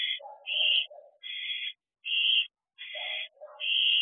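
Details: Nighttime food delivery at a barn owl nest box: raspy, hissing screeches recur about every second, interspersed with shorter, lower wheezy chittering notes.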